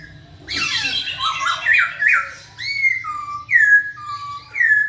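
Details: Poksay Hongkong, the masked laughingthrush, in full lively song meant to draw out quiet birds: a rough harsh burst opening into looping whistles, then clear, descending slurred whistles repeated about once a second.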